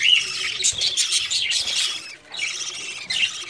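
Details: Budgerigars in breeding season at the start of summer give busy, high twittering chatter, many overlapping chirps and squeaky notes that rise and fall in waves, with a brief lull in the middle.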